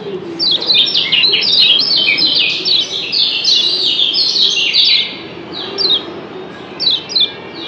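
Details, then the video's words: Lombok yellow white-eyes answering each other with 'doble ciak' calls. Busy high twittering fills the first five seconds, then thins to spaced pairs of quick descending chirps. "Doble Ciak Kecial Kuning JOSS BERSAHUTAN"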